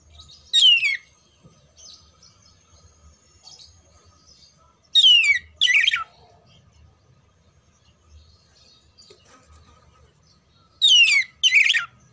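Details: Contest-training song of an oriental magpie-robin, heard as three separate bursts of steeply falling whistled sweeps and twittering notes spaced several seconds apart, with quiet low hum between them.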